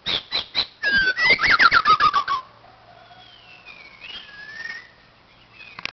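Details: White-crowned shama, a chai bird at a playground, giving a rapid burst of bright repeated notes for about two seconds, followed by softer drawn-out whistles over a quiet low hum.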